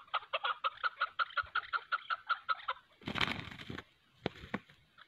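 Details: A clean run of evenly spaced chuk notes, about three per second, from chukar partridges as a decoy bird and a wild chukar fight, then a burst of wing-flapping and scuffling with a few scattered notes.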